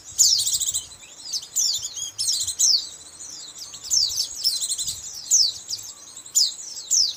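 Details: Lure recording for catching white-eyes, a rapid series of shrill, high-pitched chirps and downward-sweeping twitters in bursts about every second, continuous and busy, with slight low background noise.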